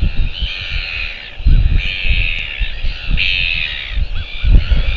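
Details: New Zealand Royal albatross chick, 21 January 2023: a series of nasal, cawing, harmonic calls, each about a second long, repeated back to back against strong gusting wind.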